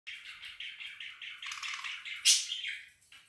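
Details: Flock of budgerigars on an afternoon, chattering continuously: overlapping warbled, chirpy calls in a steady babble, with one louder sharp squawk near the end, in a small room.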